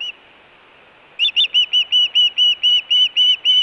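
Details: Osprey at the Hellgate nest in Montana, June 2017, food or alert calling. After about a second of quiet, a fast string of ringing whistled notes begins and continues evenly to the end.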